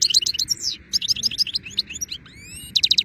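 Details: European goldfinch singing in nice weather: dense, rapid tinkling twitters in quick bursts, a few rising slurred whistles, then a fast run of bright repeated notes.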